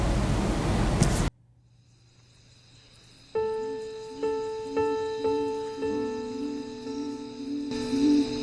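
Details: A short burst of noise, a moment of near silence, then steady piano-like musical notes repeating about every second, with no animal sound heard.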